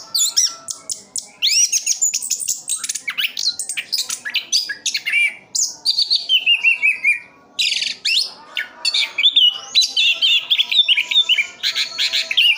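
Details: Continuous rolling song of a caged orange-headed thrush in Sidoarjo, East Java: dense, energetic bursts of high chirps, trills and slurred whistles running on for over twelve seconds with only brief gaps.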